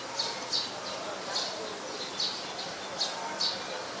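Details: Olive-backed sunbird at home, 25 March 2021, late afternoon: a series of sharp, high chip notes, some in quick pairs, repeated roughly every half second to second over constant low hiss.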